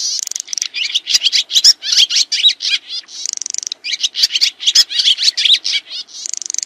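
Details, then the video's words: Swiftlet (sriti) calls, used as training audio for songbirds such as magpie-robins and shamas: rapid, high, buzzy twittering chirps in dense bursts, with occasional longer hissing trills; no other sounds. "SUARA BURUNG SRITI"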